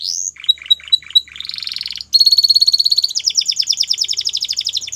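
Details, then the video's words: Belgian canary in song, moving from rolling chirps and a buzzy phrase into a long, very fast rattling trill of sharp repeated notes. "Melodies Canary Bird Song | Belgian Canary Singing"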